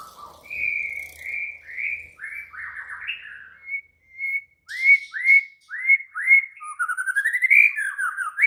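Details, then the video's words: Agitated white-rumped shama singing a series of clear whistled notes, then a run of loud repeated down-slurred whistles roughly every half second, ending in a rising warbled flourish. "Murai batu langsung EMOSI TERPIKAT suara murai batu ngamuk AKTIF ini"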